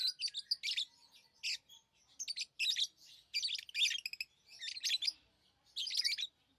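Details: Lovebirds kept as pets chirp in shrill, buzzy clusters of rapid notes, about one burst per second, harsh and squawky at times, in a quiet room.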